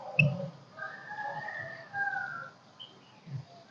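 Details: Golden-crested myna kích bổi song: an initial click, then drawn-out, smooth whistled notes sliding gently, with a brief high whistle near the end and a low hum underneath.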